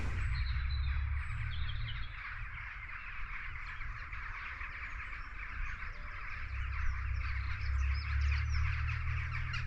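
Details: Rook chorus of many overlapping harsh, grating caws, steady and continuous, over heavy low wind rumble, heard from a possible rookery beside the River Stour near Sturminster Newton, Dorset, on an early spring morning.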